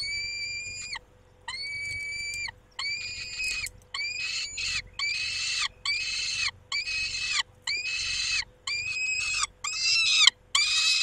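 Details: Peregrine falcon, a male looking after the females at its nest at 19:40: a rapid run of loud, grating, nasal calls, about ten in eleven seconds, growing harsher and denser toward the end.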